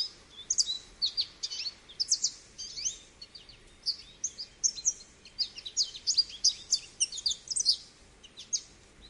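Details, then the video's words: American goldfinch singing a long, rambling run of bright twittering notes and high sweet warbles, with rising and falling slurs and no pause. "American Goldfinch Singing"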